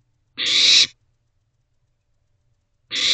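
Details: Wild barn owl chicks in a nest box, late evening in May, huddled while awaiting food, give loud breathy screeching hisses, one drawn-out rasp then a second starting about two and a half seconds later.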